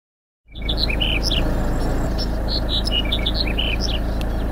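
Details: Black-headed bunting on Lesbos in 2018, giving short chirping notes repeated rapidly over steady low rumbling noise, with several overlapping chirps.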